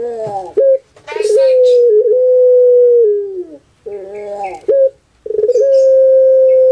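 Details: Puter pelung dove kept as a cage bird in Java, Indonesia, giving long, steady, drawn-out low coos, each held for over a second with brief breaks between them, indoors, with faint voices.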